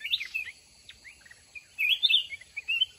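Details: Trap-fighting session with a caged mountain red-whiskered bulbul: brief sharp whistled chirps, then a loud warbled burst, over a faint low rumble.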